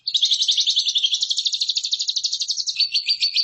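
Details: A lovebird sings a fast, buzzy chattering trill for training competition birds. The notes come very quickly and evenly, and the rhythm shifts slightly near the end.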